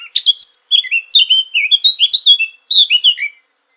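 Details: Eurasian blackcap song: a quick scratchy start giving way to loud, mellow fluting whistles that step down in pitch. After a brief gap comes one more whistled phrase.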